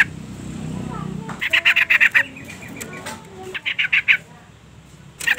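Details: Female yellow-vented bulbul giving its call to provoke a male: a low murmur at the start, then two rattling bursts of quick, harsh notes, followed by a short final burst.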